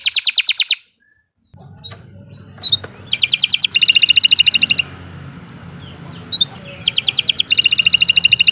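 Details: Canary in long, continuous song: dense high rattling trills, a short silence, then scattered sharp notes and more rapid trilled bursts, over a low background hum.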